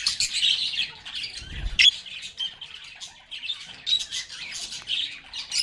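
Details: Lovebirds singing, playing and talking: overlapping high chirps and harsh squawks from a group of birds, with one brief low thud near the middle.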